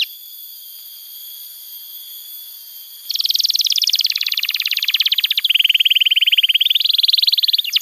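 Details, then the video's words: Canary song for tutoring young canaries, a long rapid pulsed trill shifting pitch after about three seconds of near silence. "Pancingan Suara Kenari Gacor‼️ Ampuh untuk Masteran Kenari Muda dan Terapi Kenari Macet Bunyi"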